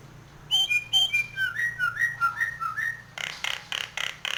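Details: Nias hill myna in breeding condition, head-bobbing as it sings: a quick descending series of whistled notes, then a rapid string of harsh, rasping bursts, over a low background hum.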